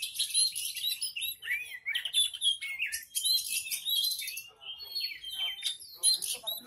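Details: Horsfield's bush lark in Cibitung singing a rapid, varied, high-pitched, almost continuous song of chirps, trills and slurred whistles; other small birds may be singing along.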